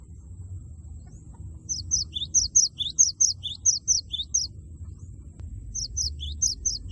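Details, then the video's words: Loud, persistent 'wucit wucit' song of a cinereous tit meant to provoke an opponent to sing: a long run of crisp high paired notes with lower dropping accents, a pause, then another run. "Gelatik batu gacor suara lantang wucit wucit merangsang lawan agar ikut bunyi gacor"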